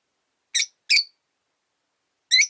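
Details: Caged rosy-faced lovebird, a lone bird after its partner died, chirping on its perch indoors: three harsh, buzzy, high-pitched squeaks, two close together and one after a pause, with otherwise quiet surroundings.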